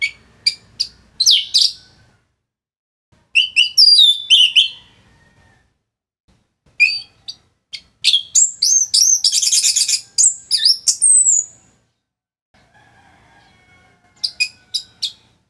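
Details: Orange-headed thrush (anis merah), a kept bird from northern Bali, singing as a training model for other songbirds: bursts of rich chips, slurred whistles and a rapid buzzy trill, separated by short pauses.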